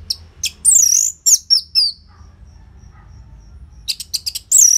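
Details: Orange-headed thrush, anis merah, singing for a caged-bird training recording in Bali: a tumbling sequence of high sweeping whistles and scratchy notes, a short lull, then renewed sharp chirps.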